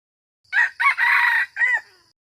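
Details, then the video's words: Red junglefowl (qaib qus) crow in four harsh parts: a brief burst, another brief burst, a drawn-out raspy centre and a short last note, with a faint echo trailing after. "Suab lau qaib qus"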